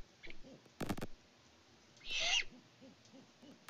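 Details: Great horned owls, a mated pair on a farm live cam in Peabody, Kansas, in February 2024, give soft, deep hoots in a short, spaced series, likely hooting between the pair around prey delivery, partly masked by two loud bursts of noise.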